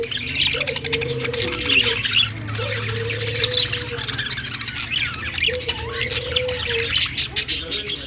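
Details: Budgerigars, described as singing and dancing, give busy chirping and warbling with squawky notes and short whistled phrases. Low hum and some background noise run beneath.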